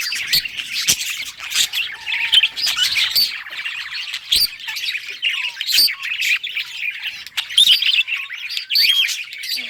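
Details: Budgerigar singing happily with a mix of harsh squawky chirps and fast warbling twitters, delivered in uneven bursts with brief pauses and occasional loud ticks.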